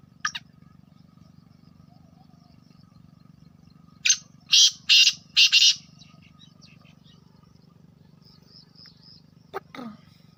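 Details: Black francolin, a pet bird, uttering its grating call: a faint note, then four loud rasping bursts in about one and a half seconds, with a low hum throughout and a brief squeak near the end.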